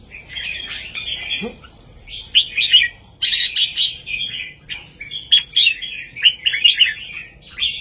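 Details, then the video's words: Red-whiskered bulbul singing a heavy, clear southern master song meant to teach young birds and rouse listeners: warbled, slurred phrases in bursts a second or so long, separated by short pauses, with a brief low sound near the start. "นกกรงหัวจุกเพลงแม่บทใต้ ลำหนักๆ ชัดๆ ยั้วนกฟังนกคึก เปิดสอนลูกนก"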